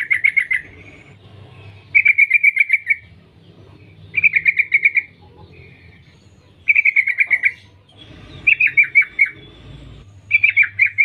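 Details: Female yellow-vented bulbul calling to males: six bursts of rapid, bright chattering notes, each burst under a second, separated by short pauses, over a faint low hum.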